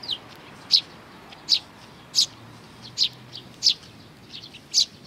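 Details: Chicks with their parents, sparrows recorded 11 May 2019: bright, brief chirps about every three quarters of a second, fainter softer notes between them.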